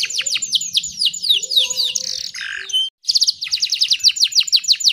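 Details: Female canary sounding to draw in males: fast runs of sharp downslurred chips, a harsh rasping middle section, a brief pause, then a rapid repeated chip trill resumes.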